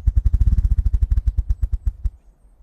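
Ruffed grouse drumming: about twenty deep, muffled thumps at roughly ten beats a second, run together into a low whirr that stops abruptly.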